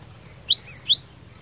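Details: Cinereous tit, a singing fighter bird meant to provoke other tits into answering: three high, sharp whistled notes in quick succession, the middle one longest, over a low background hum.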